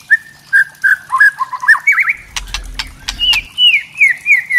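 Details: White-rumped shama of the trotol type giving kretekan, a crackling song used to provoke other shamas into singing: clear whistled notes near one pitch, a burst of dry clicking crackles midway, then slurred descending whistles, with a low rumble in the background.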